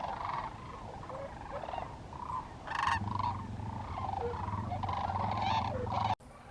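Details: Sandhill cranes by the thousands at a camping area in Willcox, Arizona, bugling as a flock: overlapping rolling trumpet calls throughout, with a low engine-like hum entering near three seconds and an abrupt cut at the end.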